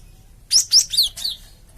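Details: Cinereous tit (gelatik batu), a lure call meant to make a flock of untrained birds answer: a quick burst of four sharp, high chirps, the first two thin and piercing, the last two slightly lower and slurred, on a quiet background.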